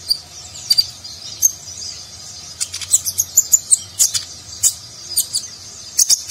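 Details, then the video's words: Nagen-style song of a konin sunbird, recorded to tutor contest birds; a busy string of thin, high chirps and short whistles, denser in the middle, with quieter gaps between phrases. "Konin Gacor Isian Mewah Gaya Nagen, Cocok Untuk Masteran Burung Lomba"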